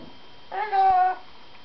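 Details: Very excited parrot calling: a brief soft onset followed by a strong, steady, meow-like harmonic note held about half a second before stopping abruptly, with a quiet background.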